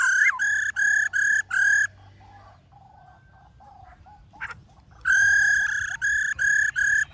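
Loud, ringing black-throated laughingthrush song: bursts of rich, harmonic whistled notes repeated about three times a second, broken by a quiet pause with faint chatter.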